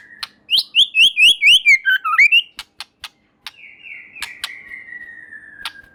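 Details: White-rumped shama song to provoke a reply from other shamas: a rapid series of clear whistled notes, a few sharp clicks, then a long descending buzzy trill.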